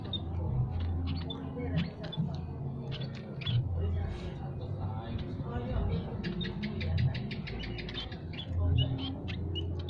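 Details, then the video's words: Java and Peking munias chatter nonstop in an aviary, several birds overlapping in quick bursts of thin, high chips and squeaks over a steady low rumble. "burung emprit peking dan jawa berkicau tiada henti"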